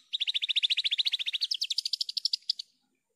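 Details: Javan bush lark song, clean and loud: one unbroken rapid trill of about twenty-five buzzy notes, steady at first, then climbing and spacing out before stopping abruptly.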